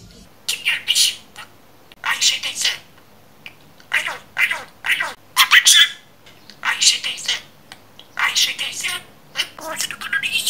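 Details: Pet budgerigar mimicking speech it has memorized from its surroundings, uttering squeaky, word-like phrases in clusters of several syllables separated by brief pauses, fairly loud and close.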